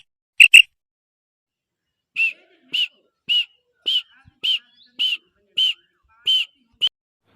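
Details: Female common quail giving its "kirk" call: short, sharp, high notes, a quick doubled pair then about ten single notes roughly every half second.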